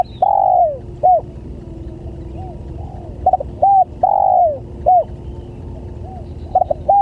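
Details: Spotted dove lure call used to attract other doves: a mid-pitched cooing phrase, a longer note with a falling tail then short hooked notes, repeated about every three seconds over a steady low hum.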